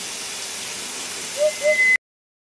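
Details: An African hoopoe calling its mate gives two soft, low hooting notes in quick succession over a steady background hiss, with a thin high tone near the end.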